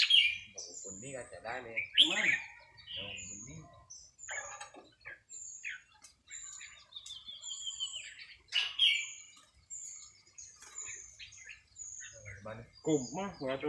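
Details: Red-whiskered bulbul singing during a casual practice session: a run of short, clear whistled notes and loud warbled phrases spread over several seconds, with brief human speech at the start and end.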